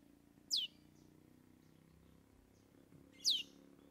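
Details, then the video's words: Trained long-tailed shrike delivering mimicked song: two sharp, high, downward-sweeping whistles about three seconds apart, against quiet low background hum. "Cendet Bongkar 3 Isian"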